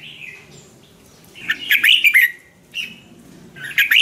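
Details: Red-whiskered bulbul song to stir or teach caged birds: a soft opening whistle, then a lively cluster of chirpy, warbling notes, a short trailing whistle and another bright burst.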